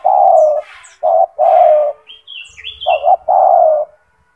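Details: Spotted dove (tekukur), a kept bird described as gacor with a big, loud, strong voice, used as a master for training other doves: a short double coo, a long coo, then two more long coos. Thin high chirps from other birds in between.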